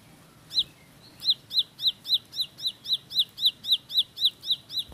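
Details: Bar-winged prinia (ciblek sawah) in rapid 'tembakan roll' style: after a quiet start, a fast run of sharp, high, hooked chip notes about four per second, steady and evenly spaced, over a faint low hum.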